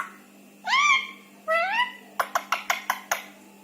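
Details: Indian ringneck parakeet, a rescued pet, speaking indoors: two drawn-out, smoothly rising whistled syllables followed by a quick run of six sharp clicking notes, in a small quiet room.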